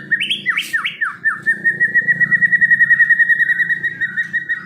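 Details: White-rumped shama giving a few sharp downslurred notes, then a long, even, rapidly pulsed whistle held on one pitch for over three seconds, with a low rumble behind.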